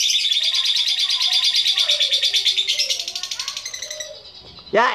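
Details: Lovebird in ngekek song, used to spur other lovebirds to sing: a fast, high, pulsing chatter of about three notes a second that slows and fades, then ends in one loud, sharp squawk.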